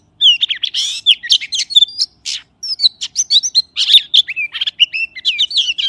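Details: Magpie pouring out a continuous stream of varied high whistles, slurred up-and-down notes and brief chattering elements, barely pausing; background otherwise quiet.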